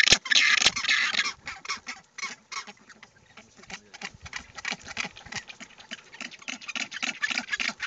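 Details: Rockhopper penguins nesting with black-browed albatrosses on West Point Island, Falklands, with chicks, calling their mates (each call individually recognizable): harsh, braying pulsed calls about three a second in quick bursts, with other birds in the background.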